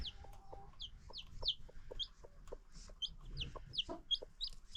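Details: Free-range chickens with new baby chicks on a farm: high, thin, falling peeps from the chicks, repeated rapidly and irregularly, with faint low rustling underneath.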